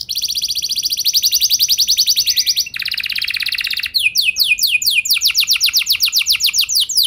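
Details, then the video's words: Lure canary song to start other canaries singing: two long rapid rolling trills at different pitches, then a series of clear downward-slurred notes repeated about four per second. "Pancingan Ampuh Buat Kenari Kondisi Apapun! Bakal Langsung Nyaut Ikut GACOR Panjang"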